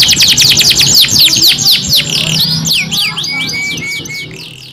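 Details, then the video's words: Domestic canary, a two-in-one kenari, singing a long rolling ngerol song: rapid series of sharply down-slurred chirps repeated several per second, shifting into softer high whistles and quieter trills toward the end. "KENARI 2 IN 1 GACOR NGEROL PANJANG CENGKOK MEWAH ISTIMEWA | CANARY SINGING"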